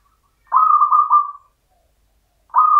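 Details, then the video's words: Rhythmic cooing of a champion local zebra dove in the Mataram style: a gentle rolling phrase, a short beat in the middle and a trailing end note. The next phrase starts about two seconds later. "PERKUTUT LOKAL IRAMA PAKEM MATARAM JUARA"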